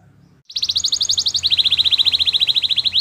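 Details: A Belgian canary bursts into song after a short silence with a rapid rattling trill of about twelve notes per second, which steps down in pitch and ends on an upswept note over a faint hum.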